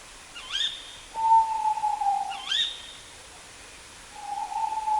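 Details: Tawny owl (Strix aluco), hoot.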